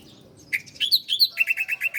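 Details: Bar-winged prinia song, a master recording for training cage birds: a quick run of bright chirped notes, then six evenly spaced repeated chips in fast succession.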